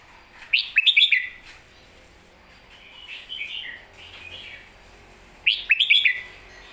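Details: Clean 'master song' (pleng mae bot) phrases from a red-whiskered bulbul: a fast stuttering run of bright rising whistles, then gentler warbled notes mid-clip, and the same loud whistled run repeated near the end.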